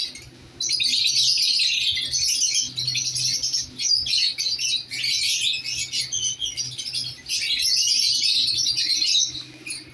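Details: Lovebirds, a newly placed pair, keeping up long bouts of shrill, buzzy chattering squeaks that rise and fall in loudness, over a constant low hum.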